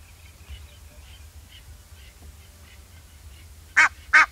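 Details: Faint, soft notes repeat quietly before an Egyptian goose bursts out with two loud, harsh honks in quick succession near the end.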